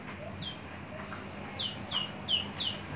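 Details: A long-kept, mature Javan bush lark in a cage sings a run of quick downslurred whistles, each falling sharply, spaced about a third of a second apart after an opening note.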